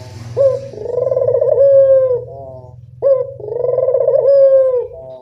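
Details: Local puter (Barbary) dove used as a lure call: a short sharp opening note followed by a long rolling, purring coo, given twice about three seconds apart over a low steady hum.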